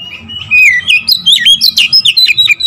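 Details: Oriental magpie-robin in lively song used to trigger other magpie-robins: a continuous run of loud, bouncing, slurred whistles and quick sharp notes, rising and falling rapidly with barely a pause.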